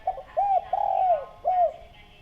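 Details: Spotted dove cooing as a lure: a short hooked coo, a long smooth falling coo, and another drawn coo after a brief gap, clear and prominent.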